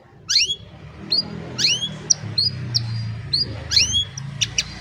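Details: Old canary on a sunny morning, cellphone recording: scattered short rising and falling whistled notes in loose clusters, separated by pauses, over a steady low background hum.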